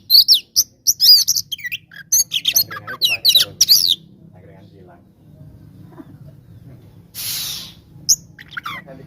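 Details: Oriental magpie-robin fighting song used to make rivals angry: four seconds of loud rapid chirps and whistled slurs, then near silence with low hum and a brief hissing burst.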